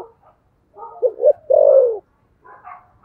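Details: Single thổ sấm contest phrase from a spotted dove: two clipped notes, then a sustained coo sliding downward, with faint coos from other doves before and after.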